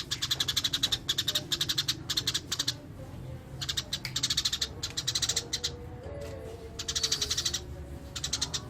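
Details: Eurasian tree sparrow in full rolling 'ngerol' song: long runs of rapid, harsh chirps racing along in even pulses, broken by short pauses, with a faint tonal whine and a low hum behind.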